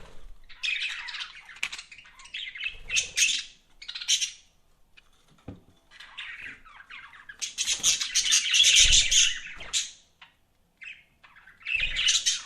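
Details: Budgies kept as pets give dense, harsh chattering and squawky chirps in overlapping bursts, a loud broadband stretch in the middle, with short thumps and brief pauses between outbursts, apparently indoors.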